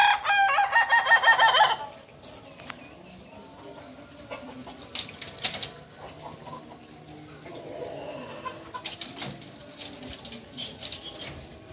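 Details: Kukuak Balenggek chicken, original from Solok, West Sumatra, opening with a loud, harmonic crow broken into several rapid stepped segments for about two seconds, then quiet background with scattered clicks and faint rustling.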